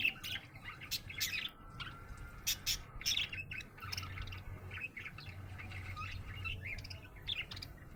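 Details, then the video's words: Budgerigar in a happy mood, chattering with quick chirps and warbles, broken by sharp clicks and a brief whistled tone, over a low steady hum. "Happy budgie chirping sound"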